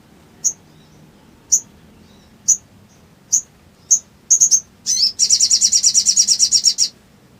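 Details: Sooty-headed bulbul lure song meant to provoke silent birds and bring on ngriwik chatter: spaced sharp high chirps about once a second, quickening into a triple chirp and a long fast rattling trill.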